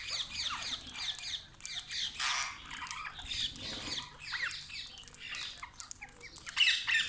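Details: Parrots arriving in the morning at a village tree: loud harsh screeches and squawks from several birds overlapping in irregular bursts, with a steady low hum beneath.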